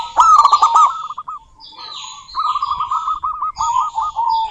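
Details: Local female zebra dove calling a rival: rapid stuttering runs of low, rolling coo notes, pausing briefly mid-clip before resuming, with sharp higher chirps from other birds overhead.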